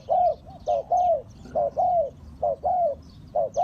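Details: Trapping lure call of a Spotted dove: rhythmic deep coos, a brief note then a longer bowed croo, cycling roughly every second, loud and close over light background chirping.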